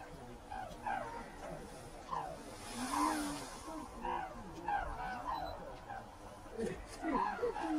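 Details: Red-crowned cranes taking off from Ito Sanctuary in Tsurui, Hokkaido, Japan, giving repeated short honking calls, several birds overlapping, with a low background murmur.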